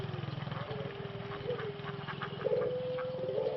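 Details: Breeding male Pelung dove in Solo, Indonesia, recovering from voice loss thought to be a cold; a steady drawn coo ending in a louder sustained note, with a low engine-like hum underneath.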